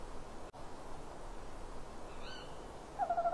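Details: At a nest box at 18:41 on 27 February 2016, a male tawny owl calling from a branch gives a low, slightly falling, wavering hoot, cut off, after a faint high chirp; the hungry female chases him for prey.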